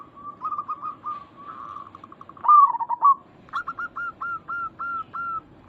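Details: Zebra dove, local type, calling to draw a quick reply from others of its kind; quick even coo notes lead into one loud trilled, wavering phrase, then a steady row of clipped rising notes.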